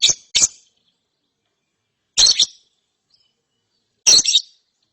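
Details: Lovebird chick after therapy calling in rough, buzzy paired chirps spaced about two seconds apart, with silence between.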